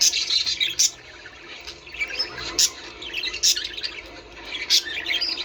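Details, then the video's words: Budgerigars chattering, a recording used to stimulate breeding: dense, buzzy warbling and scratchy twitters with sharp clicking bursts near two, three and a half, and nearly five seconds. "من أجل تحفيز طيور البادجي على التزاوج"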